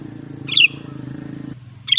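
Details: Sooty-headed bulbul in steady song, meant to set other bulbuls singing and lure wild birds near. Two quick, slurred whistled bursts about 1.4 seconds apart over a low droning hum.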